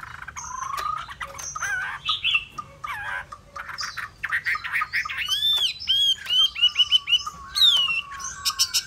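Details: Varied Hwamei song: mixed whistles, chatters and slurred notes that build into loud, ringing whistled phrases repeated several times, each dipping then rising, with scratchy notes between them.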